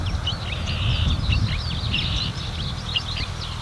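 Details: Marsh warbler singing at Lippetal on 3 June 2021 at 10:40 in the morning; a rapid, continuous chattering stream of varied chirps and trills, with a strong low rumble of traffic or wind underneath.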